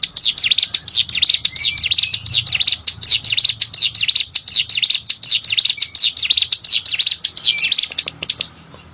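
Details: Cigun or prenjak gunung prinia singing for competition-bird training: fast, continuous series of high, sharply rising and falling whistled notes, closely spaced, with a few faint lower chirps underneath.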